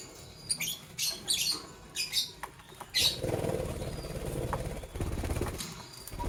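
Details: Green Fischer's and pastel blue lovebirds chirp in the morning: a quick run of shrill, high squeaky chirps over two seconds, then a loud low engine-like rumble takes over.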